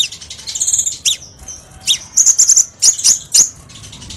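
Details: Lure song of the crimson sunbird for tutoring cage birds: a chattering series of very high sharp notes, then several clipped, emphatic chip bursts spaced roughly half a second apart.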